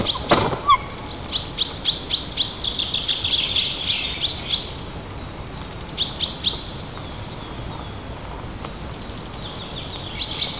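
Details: Pair of White-tailed eagles (Haliaeetus albicilla) at their nest in Nizhnyaya Kama National Park, Tatarstan, greeting each other with song as the female returns on 7 April: rapid high yelping chatter in bursts, pausing, then resuming.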